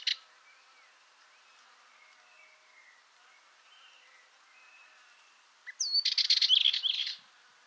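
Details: Dartford warbler song: after several seconds of faint, distant whistles from other birds, one loud, short burst of dense scratchy chatter with a high whistled slur at its start.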